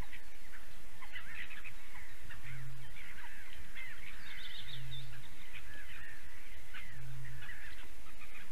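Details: Eurasian bittern in Latvia, a female defending and calling loudly at 8:42 in the morning on 28 April 2022: three deep, hollow booms about two seconds apart, with chattering birds higher above.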